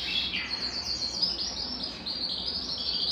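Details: ['Belgian canary song intended to warm up a cold canary. Faint, high, warbling trills are heard over a steady background hiss.']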